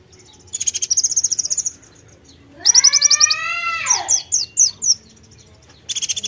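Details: White-eye in nembak style with konin imitations: a quick string of high chirps, then a bold rising-and-falling harmonic wail, a few piercing downslurred notes, and another quick high rattle.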